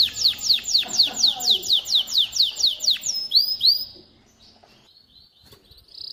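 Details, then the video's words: Singing male canary, song used to teach chicks and stimulate females to mate; repeated falling whistled tours about twice a second, then a brief rising note, followed by near silence. "تغريد طائر كناري خرافي لتعليم الفراخ على الغناء والاناث على التزاوج، Canary singing"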